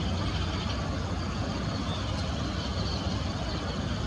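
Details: Continuous idling engine and vehicle rumble, loud and low, with no bird or other animal sound standing out.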